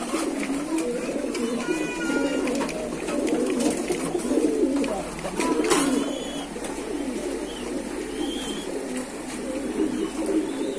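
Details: Kept pigeons cooing in a loft, several overlapping low throaty coos rolling on and off throughout, with faint higher chirps and clicks in the room behind.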